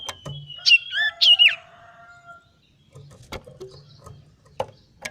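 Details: A male common iora being trained to sing gives a long, even whistle broken by two quick, swooping warbled phrases, followed by scattered clicks and knocks.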